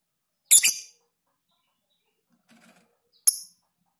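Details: Lovebird masteran recording in long ngekek style: one rasping double-pulsed shriek, a faint soft twitter, then a second, shorter sharp high chirp almost three seconds later.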